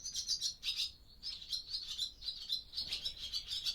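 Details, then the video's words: Barn swallows in an old barn during daytime, back for the breeding season, give a fast, continuous twittering chatter of high, squeaky notes, with brief pauses and bursts throughout. "Barn Swallow Sound Library"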